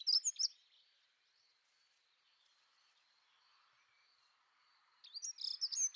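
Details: Dunnock (Prunella modularis), song.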